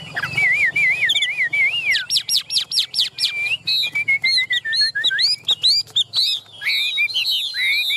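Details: Caged Chinese hwamei in full song. Wavering looped whistles give way to a fast burst of repeated upsweeping notes, then a descending chain of slurred whistles and more varied, bright phrases.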